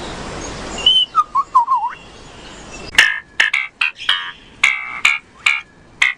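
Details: Superb lyrebird mimicry song, given to attract a female: a brief rush of noise, then slurred whistled notes, followed by a rapid run of sharp, harsh, ringing bursts about twice a second.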